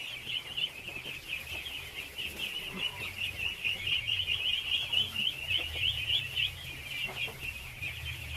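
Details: Dense, pulsing peeping from thousands of ducklings at feeding time, high and shrill throughout, with a soft low rumble beneath.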